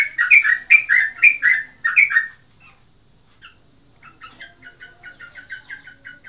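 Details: Pet yellow-vented bulbul, kept caged and possibly in breeding condition, gives five loud, bubbly two-part phrases in quick succession, a pause, then a run of soft, evenly spaced short notes.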